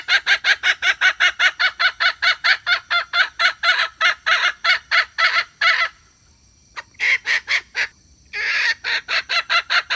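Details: Red junglefowl hen lure call for attracting males: a long, fast run of rasping clucks, a brief break, then more clucking bursts and a short rushing noise, faint high whine behind.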